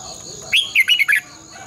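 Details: Red-whiskered bulbul decoy song for training caged birds, morning singing in long twisted double-voice style: one brief phrase of four or five quick, bright slurred notes after a moment of quiet, with a thin steady high whine.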